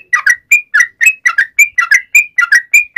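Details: Sooty-headed bulbul calling its companions with crisp paired whistles, a level note followed by a lower slurred one, repeated steadily in a clean recording without background noise.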